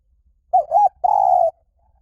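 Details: Spotted dove giving 'liw tan' style song, meant as playback so trained doves sing in reply. Two quick warbling coos followed by one long, steady, even coo, loud and clear in a quiet setting.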